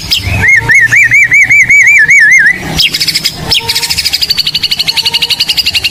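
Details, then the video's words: Caged white-rumped shama of the blorok type in full song for training birds: a run of rolling, wavering whistles, then a fast even chatter of high notes, repeated about four times a second. "Murai Blorok Gacor Bongkar isian Pancingan Burung Murai Batu Bahan"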